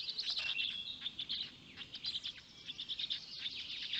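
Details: Black stork chicks being fed by a parent at their nest in Noteć Forest, Poland, early morning, 19 May 2020; a loud run of shrill chirps gives way to softer, spaced squeaky notes.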